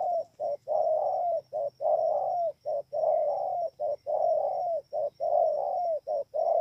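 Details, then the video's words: Spotted dove recorded 28 November 2017 at Bờ Y, Kon Tum province, Vietnam. Continuous rhythmic cooing, short notes alternating with longer slurred coos that dip at the end, repeating briskly with little pause. "CU GÁY"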